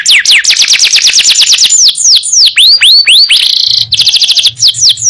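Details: Canary singing as a master for other songbirds: rapid high trilled notes, a few slower swooping whistles, a brief buzzy roll, then quick trills; a faint low hum underneath.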